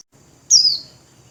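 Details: Single high, thin whistle from a caged white-eye, sliding smoothly downward over a quarter second, then silence.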